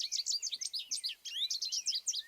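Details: An American Goldfinch (Spinus tristis) sings a squeaky, droning, rapid run of twittering notes and thin slurred whistles, high-pitched and continuous with almost no pause between phrases.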